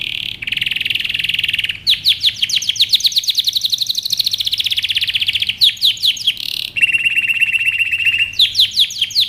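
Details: Canary singing for young birds to learn: a buzzy tone, then long rolling trills of quick descending notes, a level whistled note held for two seconds, and fast trills again.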